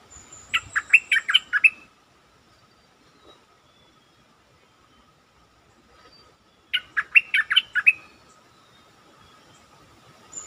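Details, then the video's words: Caged stripe-throated bulbul singing as a lure: two matching chattering phrases of about six rapid, bouncing notes each, five seconds apart, over a steady faint hum and a thin high whine. "Suara pikat merbah lekir gacor"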